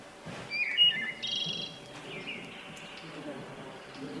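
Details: Male wood thrush song played back from a phone birding app; males sing to establish territory and attract a mate, often first thing in the morning. Clear fluting whistled phrases around the first two seconds, then fading, with faint room noise.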